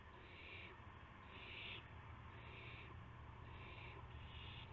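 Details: Owl sounds at 5:51 AM on March 26, 2016, as prey (mouse, gopher) arrives; five drawn-out, breathy rasping hisses, each under a second, over a low steady hum.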